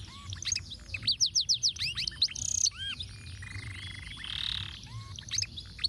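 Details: Canary in ruwet tutoring song, intended for other birds to copy: a fast sequence of steep descending whistles, a loud buzz, arching whistled notes, then broad buzzy rattling blocks.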